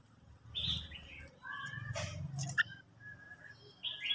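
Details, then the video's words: A Red-whiskered Bulbul sings in the morning, as training to spur singing: short, bright whistled phrases with quick slurred notes, several in four seconds, over a low background rumble and faint voices. "luyện chào mào hót buổi sáng"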